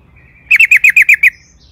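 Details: Sooty-headed bulbul, a lure sound to spur other birds into song: one quick burst of seven evenly spaced bright chirps lasting under a second, in quiet surroundings.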